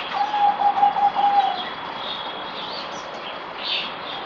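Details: Zebra dove kept by a bird keeper: a soft trilled cooing phrase of rapid pulsed notes lasting about a second and a half, over steady background hiss.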